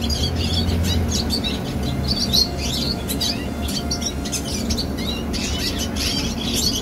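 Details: A young red siskin sings quick, scratchy twittering mixed with short sliding whistles, over a loud low rumbling hum.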